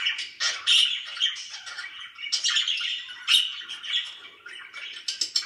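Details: Pet budgerigars, described as very happy, chirping indoors: a dense, continuous stream of warbling, buzzy chirps and squawks, busy and irregular, with sharper high notes breaking through every second or so.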